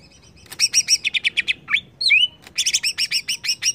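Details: Greater green leafbird roused by a lure, giving rapid strings of bright chirping notes broken by a downward slur and a looping whistle before more quick chirps.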